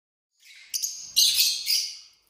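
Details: Pet lovebird couples at dinner time: short, harsh, high chirps and shrill squeaky bursts, a couple of sharp notes followed by a louder sustained screechy outburst that fades away.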